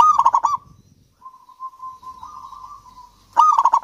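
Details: Zebra dove of the local Javanese type singing steadily, played to coax lazy doves into song. A loud, quickly pulsing coo burst opens the clip, then a soft, level trilled coo, then another loud burst at the end.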